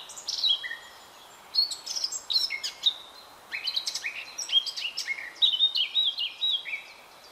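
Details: A male Eurasian blackcap, a garden bird, sings a quick, scratchy warble typical of warblers that breaks into clear, wistful, high fluted whistles, in two bursts over about seven seconds.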